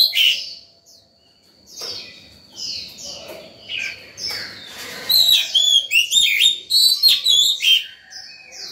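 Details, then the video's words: Morning song of an excited Oriental magpie-robin, meant to call birds and train young: a series of separate descending whistles, followed by a loud, rapid, jumbled sequence of sharp whistled notes and chips. "Chòe than vào lửa hót sổng buổi sáng, gọi bổi, tập chim non hay!"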